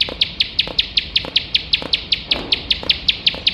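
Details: Bar-winged prinia singing in the rapid, nonstop 'nembak' style, used as a tutor recording for competition birds: sharp, high chipping notes repeated about five times a second, very steady, with faint lower clicks behind.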